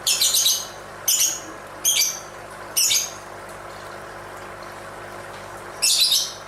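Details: Lovebird calling during its dance: harsh, rasping high bursts, some doubled, repeated about once a second before a pause of several seconds and one final squawk, over quiet hiss.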